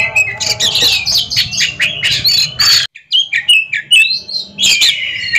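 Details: Two competing caged Oriental magpie-robins: a burst of dense chattering song, a sudden brief silence, then clear sliding whistles and buzzy notes resume.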